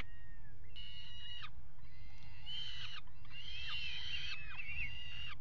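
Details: A peregrine falcon pair at the Axel water tower nest box, Netherlands, 5 February 2018, mating on the box edge. One thin call is followed by loud, harsh, chattering wails that swell and waver, with steady low rumble beneath.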